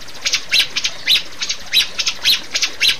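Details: Rio-rio bird calls from a master recording meant to coax caged birds into singing: sharp, harsh high chirps in quick pairs and triplets, about two bursts per second.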